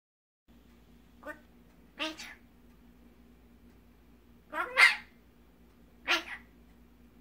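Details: Rescued magpie raised from a chick found in an alley, imprinted on its keepers and mimicking their speech; four scratchy, voice-like bursts spaced unevenly across about seven seconds over a steady low hum.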